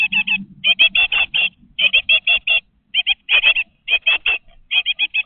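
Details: Great tit chicks, 20 days old, in a nest box fitted with a webcam. They give rapid clusters of high, squeaky, evenly spaced notes in bursts of three to five, with short pauses and faint low background hum.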